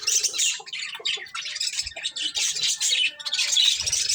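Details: Several budgies eating corn produce rapid, overlapping high chirps and buzzy warbles, with short pulses throughout and a light knock near the end.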